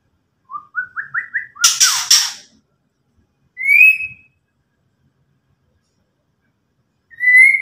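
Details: Shama, locally murai batu, in ketrekan meant to make rivals agitated: five quick notes stepping upward in pitch, a harsh crackling rattle, then two separate clear, ringing whistles spaced several seconds apart.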